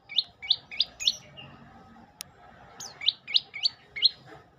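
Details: Olive-backed tailorbird song in two bursts of loud, high, hooked notes, four to five in each burst. The bursts are separated by a short pause with a single click.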